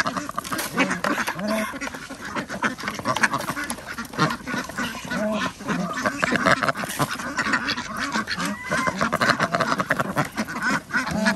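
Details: On a village duck farm in Andhra Pradesh, ducks fed twice a day call at feeding time: a dense, noisy chorus of raspy quacks, constant and overlapping, with clattering and splashing feed sounds.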